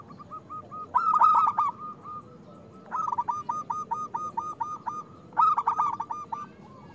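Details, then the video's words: Singing local zebra dove used to stimulate other doves: three cooing phrases of rapid, evenly spaced soft notes; the middle phrase is longest and slightly quieter. "Perkutut lokal gacor Suara Besar"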